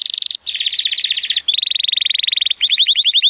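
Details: Powerful song of an 83-point male Timbrado Español canary, born 2018, recorded on a sunny day: loud rapid trills in successive tours, shifting pitch between each, with short breaks of about a second.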